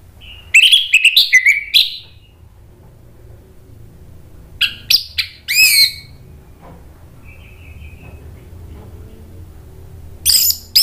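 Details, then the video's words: Song of an Orange-headed thrush meant to draw answers from other thrushes: a tumbling whistled phrase, a pause, then sharp high chattering notes, a faint thin whistle and another brief burst near the end over low background hum. "ANIS MERAH GACOR MATERI PEDES bikin NYAUT NGEPLONG"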